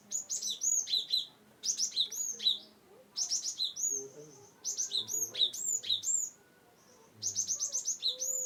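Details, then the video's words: Cinereous tit song from Wonosobo, played to prompt silent birds to sing. Bright, high chirping phrases of quick downslurred notes repeat in four bursts, each about a second long, with brief quiet gaps between. "GelatikBatu(Cimberet/Glatikwingko) Pas untuk Burung yang tidak mau bunyi"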